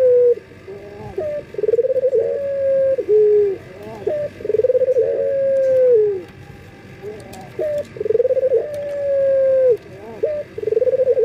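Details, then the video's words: Collared dove male, local bird in full breeding condition, calling females with a series of long steady coos broken by short clipped notes, repeated about every three seconds. "BURUNG PUTER LOKAL JANTAN BIRAHI MEMANGGIL BETINA"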